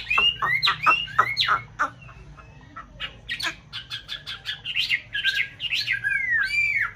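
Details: Chinese hwamei of the white form, one of a breeding pair in a conservation aviary in a mountain town, singing in nest-building season: quick varied whistled sweeps, repeated sharp notes, then looping rich warbled phrases.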